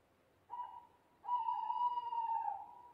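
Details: Owl hooting in the night: a short tonal note, then a pause of about half a second, then a long, steady hoot of more than a second that wavers slightly and fades. The background is calm.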